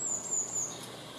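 A blue tit gives a thin, very high, slightly falling hiss-like note lasting under a second, then a brief high tick, over quiet background.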